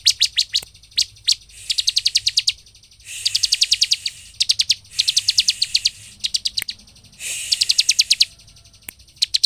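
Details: Ciblek (bar-winged prinia) singing to provoke other birds: repeated trains of rapid high chirps in bursts of about ten notes, separated by short pauses and faint clicks.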